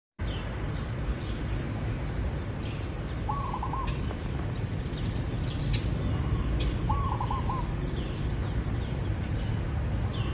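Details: Zebra dove giving two short, pulsed cooing phrases about four seconds apart. Each is a quick stuttering run of soft notes, heard over a steady hiss, with faint higher chirps from other birds.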